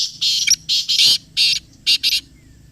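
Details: Loud harsh calling of the black partridge (kala teetar), recorded close: a run of six or seven grating, rasping notes in uneven pairs, strong and buzzy.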